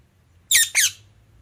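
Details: Indian ringneck parakeet giving two loud, harsh squawks in quick succession, each a rich harmonic burst sweeping down in pitch, the second slightly shorter, with a low hum in the background.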